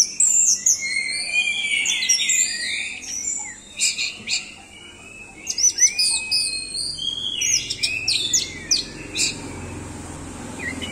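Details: Orange-headed thrush in full song, pouring out rapid warbles, upslurred whistles and clicking high notes in lively bursts separated by short gaps, with a faint low hum underneath.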